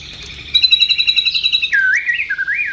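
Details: White-rumped shama (murai batu) in 'tembakan' and 'isian' singing: a fast, steady, pulsing high trill that slides into a few rounded whistled notes dipping and rising in pitch.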